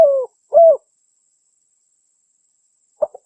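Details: Spotted dove call used to lure wild doves: two low hooting coos, the first gliding downward, then a pause and a short clipped double note.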